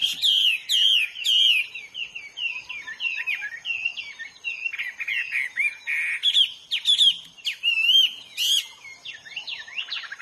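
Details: Wild Hwamei in full song, pouring out loud, varied whistled phrases: looping slurs, quick up-and-down notes and brief sharp bursts, with short pauses between phrases and a steady thin high tone in the background.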